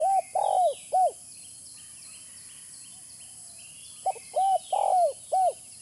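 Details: Spotted dove call used as a bird-trapping lure: two phrases of low, mellow, bowed coos, a short clipped note then three drawn-out hoots, separated by a quiet gap, with faint high chirping birds and steady hiss behind.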